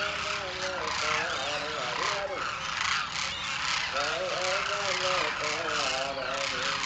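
A flock of demoiselle cranes calling in flight: overlapping croaking, trumpeting notes that rise and fall in bursts, over a steady rushing wind-like hiss.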